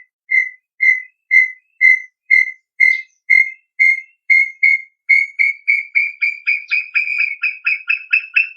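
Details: Song of the brown tinamou (Crypturellus obsoletus): evenly spaced whistled notes about two per second that steadily quicken into a dense, slightly rising rattle-like sequence of short whistles by the end, with a silent background.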